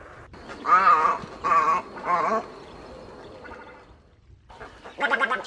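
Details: Rasping, gargling croaks of an egret, recorded for use as a bird-trapping lure: three strong bursts close together, a quieter scratchy call, then one more harsh croak after a brief silence.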